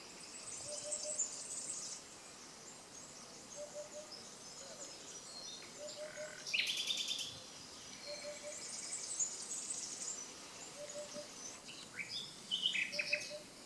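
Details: Nightingales singing by the Canal du Midi near Le Somail, Languedoc, France: varied phrases of high thin notes and buzzy trills, with a sharp rising flourish near the middle. A soft low note repeats steadily in the background.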